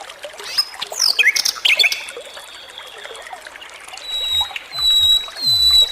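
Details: Flycatcher singing vigorously: scattered sharp chirps and squeaky descending notes at first, then long, thin, high whistled tones held steady, with a few low thumps underneath.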